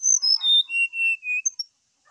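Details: Brown-chested jungle flycatcher singing in the morning, used as a prompt to set another bird singing: a loud descending run of clear whistled notes stepping from high to lower pitch, each held briefly, then a couple of short high chips.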